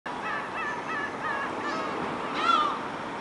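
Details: Gull bathing, calling with a series of nasal, wavering cries that rise and fall, ending in a louder, harsher descending squeal over steady background noise.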